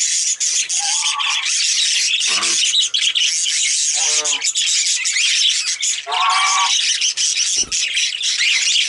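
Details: Several male budgies bathing, keeping up a steady high scratchy chatter throughout, with a few lower buzzy and rattling notes and a brief sharp knock near the end.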